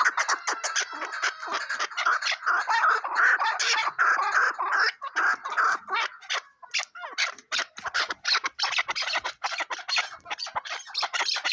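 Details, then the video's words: Chukar partridge calling: a dense run of harsh, clucking notes repeated rapidly, several per second, overlapping into a continuous chattering chorus. "Keklik sesi"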